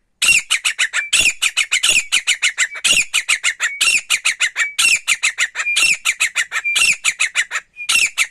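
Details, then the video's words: Male wild grey partridge, recorded for hunting: a loud, continuous run of harsh, squawking notes, about one per second, each a quick rattling cluster, with a thin whistled tone between some notes. "Dise Single male Titar ki shekar ki awaz jangali titar ki shekar ki awaz"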